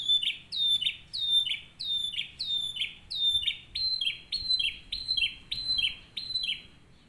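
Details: Canary singing a model song meant for tutoring other canaries, a fast series of loud swooping whistles, each dropping in pitch and repeated almost twice a second, steady and ringing over a quiet background.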